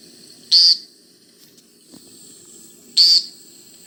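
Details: A male American Woodcock in his display flight, dropping earthward in a zigzag, gives two brief bursts of high, liquid, chirp-like whistles about two and a half seconds apart, over a faint low background hum.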